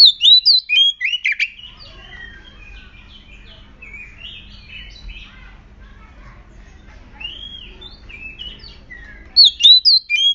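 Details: Aggressive oriental magpie-robin in breeding condition, tail spread, singing as a lure to provoke other magpie-robins into song: loud bursts of sharp, high whistled and chattering notes at the start and end, with quieter varied phrases and low hum between.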